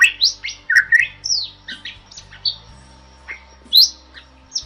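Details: Bali myna tutor song, from a species protected in Bali and becoming scarce in its wild habitat: sparse, separate squawky and whistled notes, some rising, some falling, with pauses between them.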